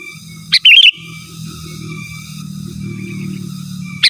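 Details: Sooty-headed bulbul calling out rivals with lively natural song: a short sharp note and a brief liquid warbling phrase, then a faint steady low hum, with another sharp note starting right at the end.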